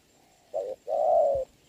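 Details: Spotted dove coo in rain, 26 November 2022, decoy and wild bird at a trap. A single short coo followed by one long, even, low note.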